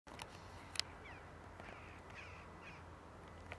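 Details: Yellow-legged gull (Larus michahellis) at Žale cemetery, Ljubljana, Slovenia, on 16 March 2023, gives a few harsh, nasal, drawn-out cries over a steady background hum, with a couple of sharp clicks.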